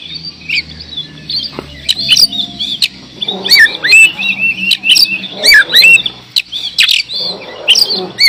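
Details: Oriental magpie-robin singing a rambling mix of whistles, chatters and harsh notes over a low background hum and some faint rattling.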